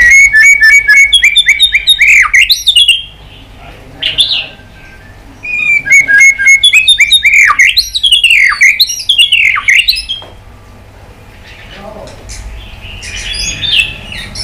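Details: White-rumped shama in heated fighting song with tail flicking: rapid runs of rich, varied whistles and trills in two long bursts, separated by a quiet pause, ending with softer chattering notes.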